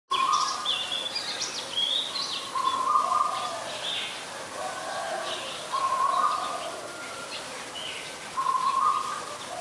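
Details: Oriental magpie-robin singing in Ubon Ratchathani, Thailand, on 28 October 2021, recorded with a Nikon P1000: a steady mid-pitched whistled phrase returns about every three seconds, mixed with higher, thinner notes.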